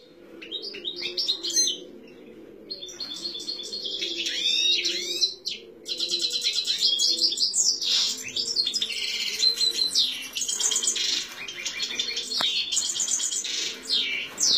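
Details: A European goldfinch being stirred into excited song gives fast, nearly unbroken song: bright tinkling twitters and buzzy trills, high-pitched and liquid, with a faint low room hum beneath.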